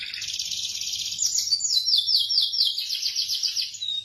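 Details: Local Indonesian canary pouring out a continuous high, rolling trill that shifts into quick repeated chattering notes, steady and bright throughout.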